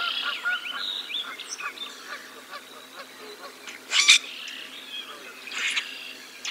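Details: Geese on a spring morning, 17 April 2022, in the North Valley at Decorah, give loud, nasal honks in short bursts, strongest near the middle and end, over a busy background of songbird chirps and twitters.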